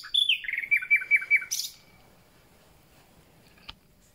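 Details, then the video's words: Common nightingale, newly arrived and beginning its spring concert, sings a phrase of about eight clear whistled notes that step downward and repeat rapidly, ending in a drawn-out high tone, followed by quiet and one faint click. "Słowik rdzawy i jego piękny śpiew"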